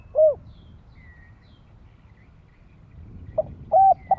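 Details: Spotted dove call for luring wild doves and training young birds: one short hollow coo, a long stretch of low rumble, then the start of another coo phrase cut off at the end.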